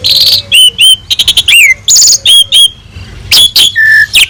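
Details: Asian pied starling (jalak suren) singing a full master song for training other birds: clear slurred whistles, brief harsh bursts and a level low whistle near the end, in short phrases with small gaps.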